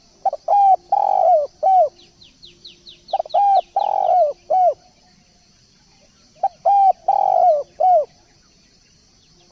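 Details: Spotted dove in full song for training birds: rhythmic phrases of several short coos around a longer, down-curving one, repeated roughly every three seconds. Thin high chirps from another small bird run between phrases.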